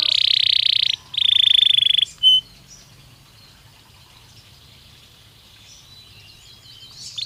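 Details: Belgian canary stimulus song for training: two loud buzzy trills of about a second each and a short pure note, then several seconds of near-quiet faint twitter.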